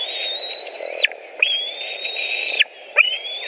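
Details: White-tailed eagle at a nest in Latvia, 23 June 2018, around 16:01, during feeding: three long, thin whistled notes held level near one pitch, each ending in a sharp downward slur, spaced about every 1.5 seconds.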